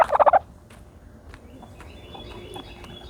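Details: Turkey calling while dust bathing in dirt: a quick burst of about six loud pulsed notes in the first half second, then only faint scratchy rustling and a thin steady whine.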